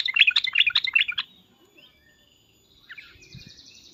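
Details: Agitated Sooty-headed bulbul giving loud cuk-cuk notes intended to draw replies from other bulbuls; four quick bubbly chirps in a little over a second, then near quiet with faint distant twitters.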